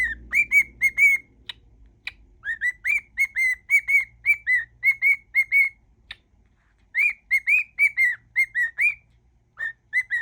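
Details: Pet cockatiel whistling a mash-up of songs: runs of clear tonal notes, many gently rising then falling, in quick phrases with short pauses between bursts and a few sharp clicks.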